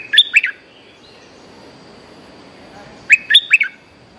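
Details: Lure song of a lively young bulbul: two short, bubbly phrases of three or four rich, liquid notes each, about three seconds apart, over a quiet background with a faint steady hum.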